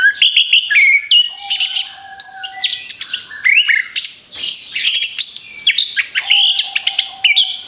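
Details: Orange-headed thrush singing as a lure for other birds, a dense, continuous stream of varied high whistled notes, sharp chirps and slurred phrases, rapidly changing in pitch, with a faint low steady tone in places.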